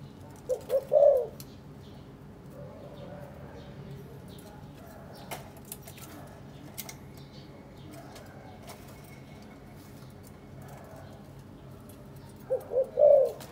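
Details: Spotted dove from a caged breeding pair, put together for three days, now preening each other and carrying nest material. Two loud cooing phrases, each quick stuttered notes ending in a drawn-out low coo, at the start and near the end, with faint clicks between.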